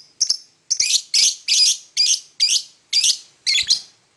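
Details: In the morning a lovebird gives a steady series of loud, raspy, high chirps, about two per second, each short and buzzy.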